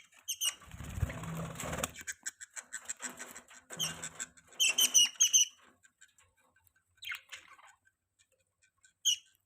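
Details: Pet budgerigars chirping indoors: bright, clipped chirps with ringing overtones come in quick clusters, mixed with scratchy rustling and low shuffling noise, then thin out to a few isolated high notes.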